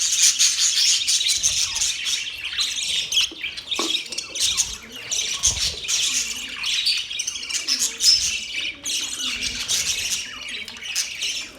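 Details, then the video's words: Budgies chattering non-stop, a dense, scratchy mix of high chirps, squawks and warbled trills from several birds, loud and continuous throughout. "Budgies chirping sounds"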